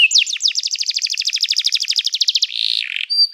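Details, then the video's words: Canary singing, used for song training: a fast run of sharp, evenly spaced down-slurred trill notes, about ten per second, then a brief buzzy phrase and a short high whistle, with no background noise. "O som do canário cantando é muito gostoso! melhor treinamento para canario"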